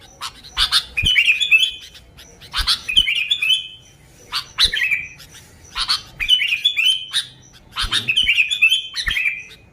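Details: Sooty-headed bulbul song for luring bulbuls, a series of separate chirpy phrases each sliding into a falling whistle, spaced about a second apart with soft clicks between.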